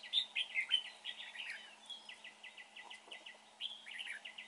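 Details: Red-whiskered bulbul heard at a trapping spot, a bird with a good voice: a few clear whistled notes, then a string of short, quick, even chirps and a final rising flourish.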